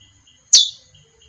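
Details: A single sharp, high chip from a female chestnut-bellied seed finch, dropping quickly in pitch, over a faint steady high tone and soft low rumble.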